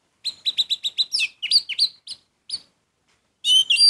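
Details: Orange-headed thrush singing: a rapid string of identical clipped notes, then varied slurred whistles and chirps, a short gap, and a loud buzzy phrase at the end.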